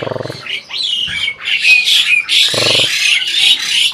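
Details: Asian pied starling, an adult breeding bird, chattering as if talking: loud, rasping, buzzy high phrases flow together, broken by two short low voice-like bursts at the start and midway.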